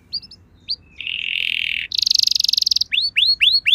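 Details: Canary pancingan song for provoking a reply from other canaries: scattered chips, a sustained buzzy rattle, then a higher fast trill and rising hooked whistles over faint background noise.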